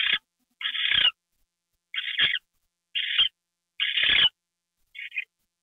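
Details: Owl on camera getting a mouse treat, night of January 28, 2013; harsh, breathy rasps about once a second, the last one shorter and softer.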